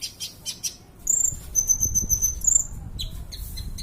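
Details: Sunbird known locally as kolibri ninja, recorded as tutor song for training other birds; a sustained piercing high whistle with a rapid trill, after scattered high chips, with low rumbling background.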